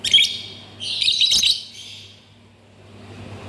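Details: Lovebird kept as a pet, giving bright high chirps and a short warbled burst of twittering in the first second and a half, then quiet with low background hum.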